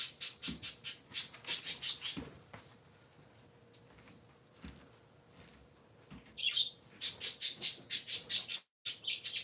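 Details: Pet parakeets, a trio kept indoors, heard on a Sunday morning giving fast, evenly pulsed buzzy chirps at nearly three per second, a quieter pause with soft clicks, then the rapid chirping resumes.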